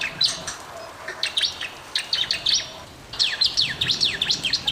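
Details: Bar-winged prinia in full song, used to coax reluctant birds into singing: bursts of sharp, high chirps, then after a short pause quick descending and rising sweeping notes, over faint background hiss.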